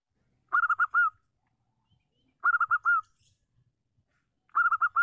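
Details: Zebra dove, a local female kept to spur reluctant males into song, repeating a rhythmic phrase of four short coos plus a held closing note, three phrases evenly spaced about two seconds apart in quiet surroundings.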